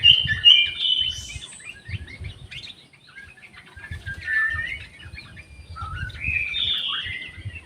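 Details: Orange-headed thrush in an aviary, singing varied bright whistled and warbled phrases in short bursts, with some phrases sliding downward, against a low rumbling background.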